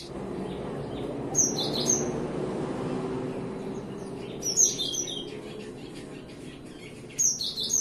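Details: Cinereous tit singing in the morning: three short bursts of high, clipped whistled notes about every three seconds, over a low background hum.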